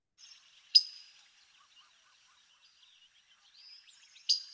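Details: A Blue Grosbeak gives its typical perched or on-the-ground pick call, not its flight call: two very sharp, metallic pick notes about three and a half seconds apart, over faint high chatter from other birds.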